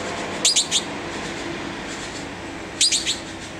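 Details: Red-billed blue magpie recorded on 19 November 2009: two bursts of three sharp, high, squeaky notes, about two seconds apart, over steady low background hiss.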